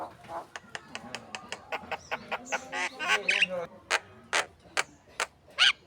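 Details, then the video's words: Javan myna song used as a model for contest birds: a series of sharp clicking and chattering notes about every quarter second, then harsher broadband squawks and rasping bursts, recorded close and clean. "SUARA PANCINGAN ORIGINAL BURUNG JALAK KEBO GACOR"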